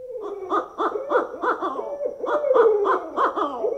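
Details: Two owls hooting together at night in a quick, uneven run of about three rich, mid-pitched hoots per second, one voice sliding in a steady whine beneath them.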